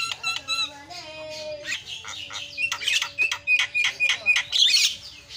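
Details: Javan myna (jalak kebo) in a busy, melodious isian filler song: a jumble of chattering, whistled and tonal notes that speed up into rapid, harsh bursts about four per second.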